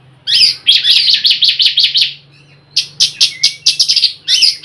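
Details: Rapid harsh chattering from an Oriental magpie-robin, a 'nyrecet' lure call to make other magpie-robins sing: about nine raspy bursts in quick rhythm, a pause, then a second run of six or so, with a faint hum underneath.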